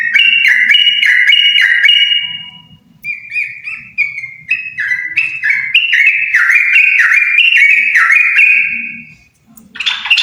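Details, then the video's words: Yellow-vented bulbul pair in lively song, pouring out rapid chains of clear whistled notes that step up and down, with a short lull mid-clip and a faint low rumble in the background. "Burung trucuk sepasang gacorr!!!!"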